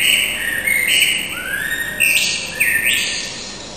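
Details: Resident Common Blackbird singing on a residential street at 4:15 in the morning on 21 March 2010, newly returned after winter: smeared, warbling phrases with overlapping fluty notes and bright high overtones.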